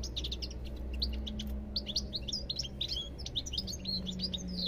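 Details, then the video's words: Fast European goldfinch song with bouncy, liquid chirps and slurred whistled notes tumbling in quick succession almost without pause, over a soft low hum. "تغريد طائر الحسون"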